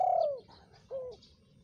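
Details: Spotted dove call used to lure wild birds, known locally as tekukur: a loud drawn-out coo falling in pitch, then a pause and a softer, shorter falling coo.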